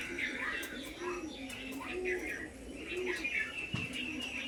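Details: Pigeons on the roof of an old house: several low, soft, arching coos swell and fade in a steady series, over a busy background of higher chirps and harsh calls from other birds.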